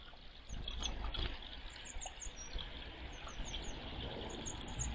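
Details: Grey wagtails, two birds disputing territory, give thin, very high, clipped notes in rapid runs of two to four, almost continuous across the recording, with loud running water beneath.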